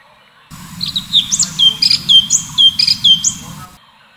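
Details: Orange-bellied leafbird, locally cucak cungkok, giving full tembakan continuous song: repeated slurred whistles dropping in pitch, interleaved with shrill high notes, roughly twice a second, constant low background hum.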